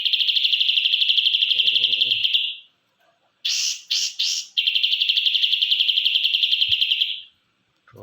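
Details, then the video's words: Ashy drongo, white-eyed grey form: a sustained rapid pulsed trill, high and ringing, stops, then three harsh loud bursts, then the fast trill resumes for several seconds. "burung srigunting abu-abu mata putih"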